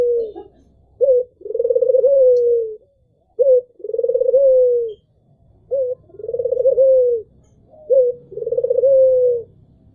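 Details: Albino Barbary dove, white with red eyes, repeating its mellow coo four times in ten seconds, each a clipped introductory note and a long rolling, gently falling coo.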